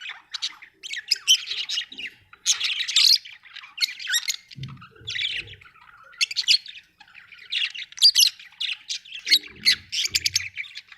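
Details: Budgerigars in a home setting chatter continuously with harsh squawky notes and quick chirps, uneven in rhythm, plus a few faint low knocks.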